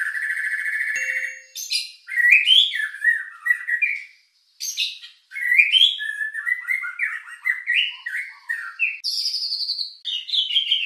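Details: White-rumped shama singing a richly filled lure song to raise emotion and breeding urge: a long, varied stream of whistles, chips and quick slurred phrases that climb and fall, with a brief pause midway.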